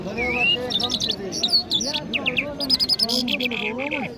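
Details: Iranian Mashhadi jal bird singing in Kabul, Afghanistan: a rising whistled note, then bursts of short, sharp, high chirps and quick slurred notes, with a man talking steadily underneath throughout.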